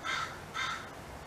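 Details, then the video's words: Two harsh caws about half a second apart, given by a crow calling to others in the area for help, somewhat quieter and set against faint background hiss. "Crow Calling to Attract Other Crows for Help"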